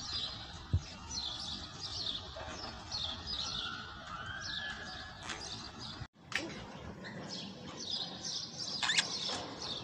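Budgerigars chatter in a continuous stream of high, scratchy warbles and quick chirps, with a brief break partway through; a low background hum runs underneath.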